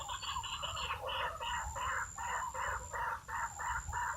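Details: White-breasted waterhen call broadcast through a loudspeaker beside a decoy and snare noose, used to lure and trap waterhens. Harsh, rhythmic, nasal croaks repeat about three times a second in rough bursts over a thin, steady high-pitched whine.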